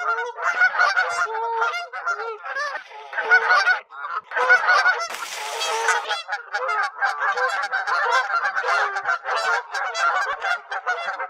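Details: Geese at a beaver pond in late spring during a goose fight, with onlooking geese calling: many loud, continuous overlapping nasal honks, with a harsh burst of splashing or flapping in the middle.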